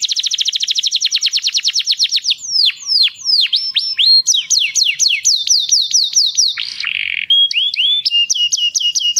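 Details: Tutor song from a canary for young birds: a rapid rolling trill of falling notes opens, followed by slower sliding whistles, a brief buzzy burst, and fast bright repeated phrases.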